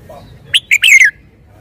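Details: Red-whiskered bulbul kept in a cage, delivering a crisp song phrase of two quick sharp notes and then a drawn-out, gliding, downward-sliding whistle, preceded by a faint low murmur; otherwise near silence.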